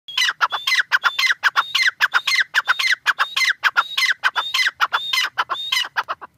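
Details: Partridge, tetar, calling loudly in a fast repeated series. Each phrase is harsh, clucking notes around a high, thin whistled note that rises and then drops, about two phrases a second. There is no other clear sound.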